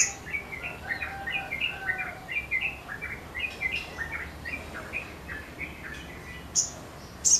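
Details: Sogon singing energetically with wings spread; steady series of short, sharp chirped notes repeated several times a second, with occasional high thin squeaks near the end.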